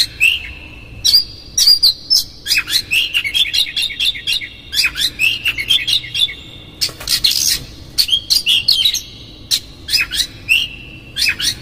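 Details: Lure song of an Oriental magpie-robin, rough fill-ins meant to anger a rival: dense, fast run of sharp chips, scratchy bursts and bright slurred whistles, phrases repeating every second or so with hardly any break.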